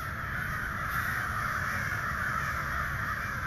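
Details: Far-off mass of hundreds of ravens calling for hours, heard as a steady, dense band of overlapping raspy calls with no clear single voice, plus low background rumble.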